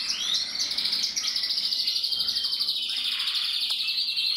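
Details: A male black-red variegated canary sings a continuous, bright stream of rapid trills and rolling tours, high-pitched and unbroken throughout, with no other sounds.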